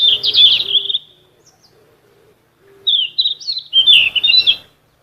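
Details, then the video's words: Golden flycatcher song played for training captive songbirds: sweet warbled phrases, high and slurred, in two bursts separated by a quiet gap. "BURUNG KICAU"SIKATAN EMAS"(KICAU MANIA)Full Gacor"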